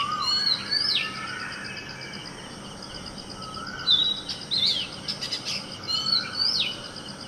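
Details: A male Oriental magpie-robin sings clear, sweeping whistles and quick slurred notes, high and varied, mimicking a shikra and a common tailorbird; steady insect hum underneath.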